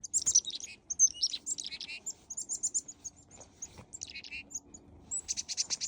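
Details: Chickadees hand-fed on a walk at a Conservation Area give a rapid run of high, thin chips and twittering notes, with a few lower buzzy notes mixed in, several birds calling close together.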